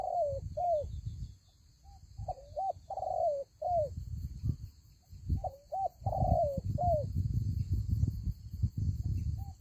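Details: Spotted dove at a ground-decoy fighting trap giving rapid overlapping coo phrases, short hooked notes and longer falling coos, possibly more than one bird, with heavy low rumbling noise throughout.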